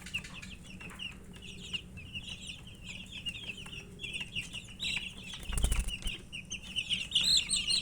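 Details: Murgi chicks chirping while eating, a flock of young chickens giving continuous high, quick peeps that crowd together, growing louder toward the end, with a soft thump midway and scattered pecking taps.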